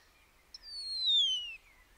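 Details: Common starling giving a single long whistle that slides gently downward over about one second, with a faint higher overtone above it and a quiet background.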